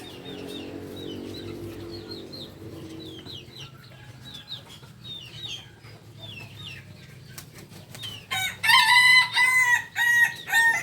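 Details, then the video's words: Kukuak Balenggek rooster from Solok, West Sumatra, whose loud, multi-part crow with rapid stepped syllables begins only near the end, after a long stretch of small birds chirping high, thin, repeated notes in the background. "Ayam kukuak balenggek ayam asli solok sumbar"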